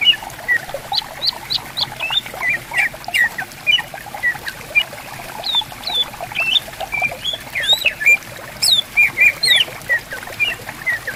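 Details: Riverside bamboo forest with greater green leafbirds answering one another: scattered clear whistles and short slurred phrases, a few loud looping high notes near the end, gentle running water underneath.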